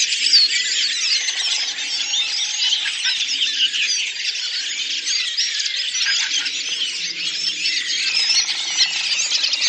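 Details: Redwing flock singing collectively on Lipovaya Hill in the Oka Nature Reserve, Russia, in April: a dense, continuous chorus of overlapping high twittering, squeaky and chattering notes from many birds at once, with no pauses.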